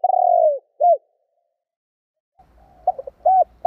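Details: Spotted dove coo meant to provoke wild doves. A long rolling descending note and a short hoot close one phrase. After a pause, a new phrase of stuttered coos starts over a low rumbling background.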